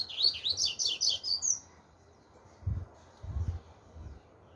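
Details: Chopi blackbird singing the 'tui tui zero zero' song style: a rapid burst of bright warbled and whistled notes for about a second and a half, then silence broken by low thumps.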